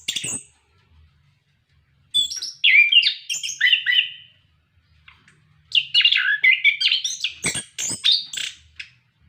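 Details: Orange-headed thrush, a captive bird in full song used to prompt other caged birds to sing: two bursts of rich, varied whistled and warbled phrases with harsh clicks between them, after a short opening note and a pause.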